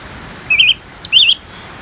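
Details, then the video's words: Orange-headed thrush, part of a rain-backed therapy recording; one brief phrase of three notes, a wavering whistle, a thin high descending slur, then another warbled whistle, over soft background hiss. "Terapi ANIS MERAH Ngeplong dan Suara Hujan ALAMI"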